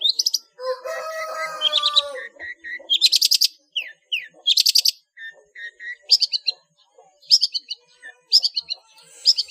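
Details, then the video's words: Long-tailed shrike singing in the ngeplong full isian style, used as a master recording for training cage birds: varied chattering phrases, buzzy rapid trills and bright high whistled notes, with short bursts alternating with brief pauses. "SUARA BURUNG CENDET NGEPLONG FULL ISIAN"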